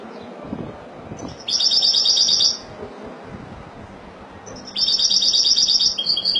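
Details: Spanish goldfinch singing in the Malaga style: two bursts of high, rapid twittering trills about a second long each, separated by a quiet pause with faint low background noise.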